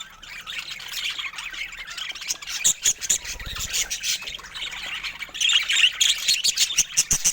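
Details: Bright pet budgies squawking and chirping in quick, uneven bursts over a continuous background of warbling chatter.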